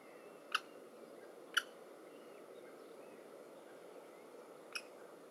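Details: Common kestrel chicks begging at the nest as their mother feeds them a mouse, 2015: three short, sharp squeaky notes, two close together and one after a pause, over a steady background hiss.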